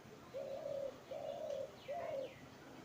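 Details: A pet parrot gives three hollow, hooting notes, each about half a second long and steady in pitch, over a soft background hiss.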